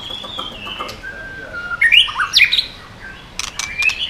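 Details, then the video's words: White-rumped shama singing a 'yến reo' style song aimed at provoking other birds: long thin level whistles, a brief burst of sharp sweeping notes, then quiet rising whistles against background hiss. "chòe lửa hót giọng yến reo,bắn dây đảo giọng đánh đuôi kích chim cực mạnh"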